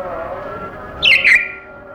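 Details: Caged pet African grey parrot making its noises indoors: two quick, bright chirps close together in the middle of the clip, over a steady low background hum.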